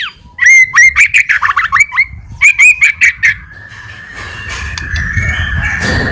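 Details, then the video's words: White-rumped shama lure song meant to provoke an immediate reply: a rapid burst of loud, sharp whistled notes, some slurred upward, lasting about three seconds, then fading into a steady hiss. "PANCINGAN MURAI BATU GACOR CEPAT RESPON LANGSUNG BUNYI"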